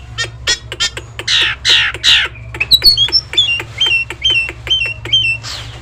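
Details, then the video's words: Prolific, tame Nias hill myna whose varied song serves as master audio for birds that have stopped singing: harsh, loud squawks repeated about twice a second, then a string of clear, bending whistles, over a faint hum. "jalak Nias yang gacor cocok untuk pancingan burung anda"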